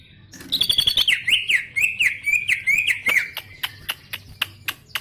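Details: Greater green leafbird in gacor song: a fast chain of rising and falling whistled notes that zigzag in pitch, followed by evenly spaced sharp ticking clicks about four per second.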